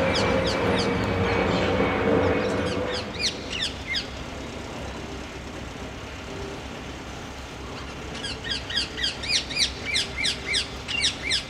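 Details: Small flock of Ring-necked (Rose-ringed) parakeets in a tree at London Wetland Centre, Barnes, south London, in February, giving rapid, shrill screeching calls, several per second, in two bursts over steady low rumble of distant traffic.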